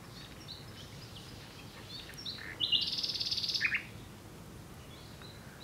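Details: Common nightingale singing: scattered soft whistled notes, then a sudden loud, fast, machine-gun trill of repeated pulses about a second long, followed by a short dropping phrase and quieter notes.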